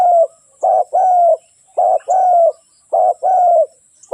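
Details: Spotted dove song: low, soft coo phrases, each a brief coo followed by a longer drawn-out, slightly falling coo, repeated about every 1.2 seconds over a faint steady high whine.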